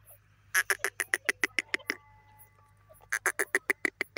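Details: Grey francolin (teetar): a fast series of short, clipped, clicking notes, about five each second, then a pause and another quick burst. A steady low hum runs underneath.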